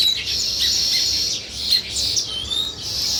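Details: A flock of sparrows chirps nonstop in a steady, crowded high chatter, with occasional short rising and falling whistled notes poking through.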